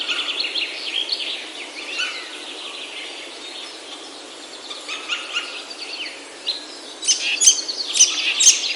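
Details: Birdsong in Himalayan oak forest in Himachal, India, heard on a forest trail: quieter mixed chirps and short trills from several birds, then sharp, loud high notes repeated near the end.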